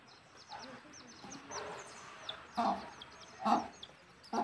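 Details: Chicks peep continuously in high, thin downslurred notes while their mother hen, guiding them back to the nest to roost, adds three short, gruff clucks near the end.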